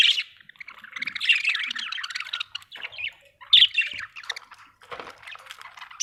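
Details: Budgerigar chirping: a steady, busy warble of scratchy, high chattering notes and squeaks with brief pauses, one sharper squawky burst midway.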